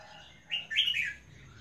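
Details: Albino female red-whiskered bulbul calling: one brief, bright, slurred chirp of two quick high notes, over a low steady hum.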